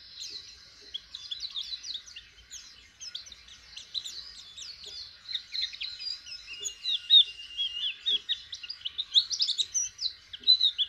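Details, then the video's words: A white-eye learning to open its beak sings a fast, continuous run of high, thin twittering notes and rapid slurred chirps, rising in intensity toward the end. "Pleci jhonshon belajaran buka paruh asiik"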